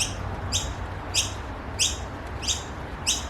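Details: In an Australian garden, Noisy miner chicks of a family group give harsh, raspy, high squeaks about every two-thirds of a second, begging for food over a low rumble of background noise.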